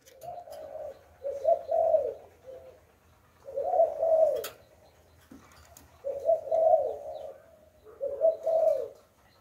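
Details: Decoy spotted dove in the Hạp Bổi voice style, used to lure wild doves, giving four low, throaty cooing phrases, each a quick double coo then a longer, hollow note, repeated about every two and a half seconds, with faint background hum.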